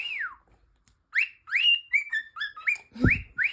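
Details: Pet cockatiel calling nonstop like an alarm clock: a falling whistle, then a run of rising, slurred whistles, repeated about every third of a second, with a soft thump near the end and a quiet room behind.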